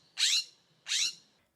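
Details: California scrub jay (Aphelocoma californica) gives its most characteristic call: two harsh, raspy 'shreep' notes, each about a quarter second long and under a second apart; nothing else heard.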